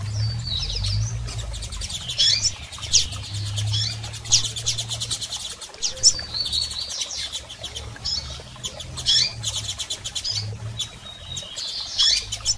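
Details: Double-collared seedeaters, both sexes, calling to stimulate a male: repeated high chips and quick ticking bursts every second or two, with a constant low hum beneath.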